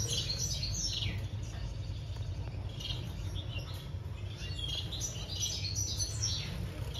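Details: Society finches during breeding, giving dense bursts of short, high chirps and twittering notes throughout, with a steady low hum underneath.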